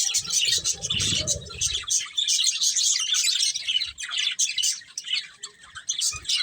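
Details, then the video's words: Pair of breeding budgerigars chirping in fast, high, chattering warbles throughout; a low rumbling thump sounds in the first two seconds. "Cute Budgies Chirping Sounds"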